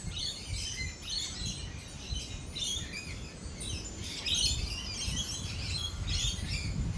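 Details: Many lorikeets chatter at once at a cafe during a thunderstorm, a dense continuous mass of shrill, scratchy screeches with a rumbling low background throughout.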